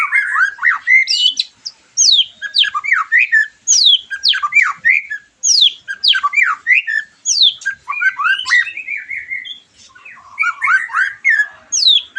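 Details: White-rumped shama song played to stimulate a bird after moulting and heighten its mating urge; repeated phrases of steep downslurred whistles and scratchy notes, roughly every one to two seconds, with short breaks.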